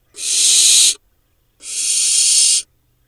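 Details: Barn owl nestlings preening in a monitored nest box in Israel's Hula Valley on 7 July 2021, four remaining chicks from a late brood. Two harsh, breathy hisses of just under a second each, separated by a short silence.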